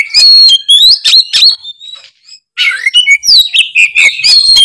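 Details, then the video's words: Oriental magpie-robin in full, prolific ngeplong singing: loud, fast runs of varied whistles, trills and chattering notes, with one brief pause midway. "suara kacer gacor full ngeplong"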